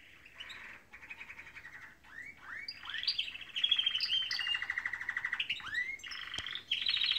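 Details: Canaries sing in the morning, alternating buzzy rattling tours with series of rising upslurred whistles, growing louder midway into a bright sustained rattle, then more upslurs and a high trill.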